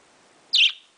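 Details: Morning vocalizing by a baby parakeet at home: one sharp, high squeaky note, brief and bright, fading with a short tail, no other sounds.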